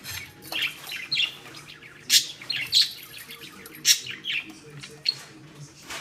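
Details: Caged hen budgerigar, upset while tugging at a tethered ball, chatters with shrill chirps and harsh squeaks roughly every second, with a faint steady hum behind.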